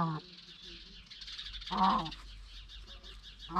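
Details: Indian peafowl at a house where peacocks are kept: a loud, harsh, honking call rings out mid-clip, with shorter nasal notes at the start and end over a steady background hiss.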